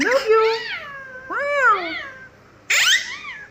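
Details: A pet male Alexandrine (green ringneck) parakeet talks in three short, voice-like phrases with swooping, rising-and-falling tones, closing on a higher, brighter word. His repertoire includes "Hello Papa", "I love you" and "Good morning".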